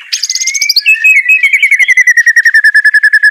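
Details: White-rumped shama song meant to get a reluctant bird singing: a high buzzy opening, then a steady trill of quick, even notes gradually falling in pitch.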